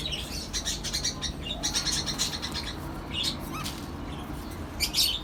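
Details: Small lovebirds, cockatiels and budgies sharing a colony setup; overlapping shrill chirps and squeaky notes in irregular bursts, now dense, now sparse, over a constant low-pitched hum.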